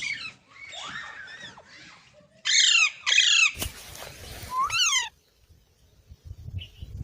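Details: Green parrot calling in harsh, descending screeches: a softer grating series first, then two loud downward-sweeping shrieks, a noisy burst, and a final falling squawk before quiet.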